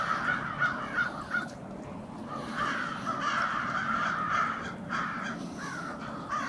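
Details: Crows gathered for winter staging on a town street in Brattleboro, Vermont, 16 February 2021. Harsh, rasping caws come in short bursts, often two or three together, from a noisy flock, over a low hum of street background.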